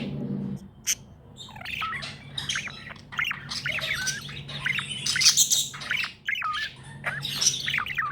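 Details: Happy pet budgie chirping: continuous busy warble of rising and falling whistled notes, clicks and squeaky chatter, dense and lively throughout, over a steady low electrical hum.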